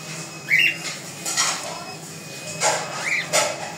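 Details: Two brief, harsh, rising squawks from a yellow ringneck parakeet, a few seconds apart, among clattering household sounds like dishes.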